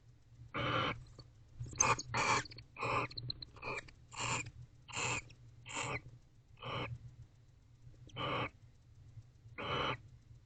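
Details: Barn owls mated then kissed in their nest box at night, 19 October 2024; quick irregular series of about thirteen short hissing rasps, bunching early then slowing and spacing out.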